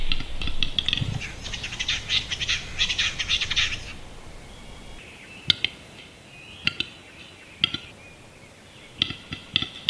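Capercaillie lek song: a few seconds of hissing, grinding whetting, then sharp, dry clicks spaced about a second apart, with faint low rumble behind.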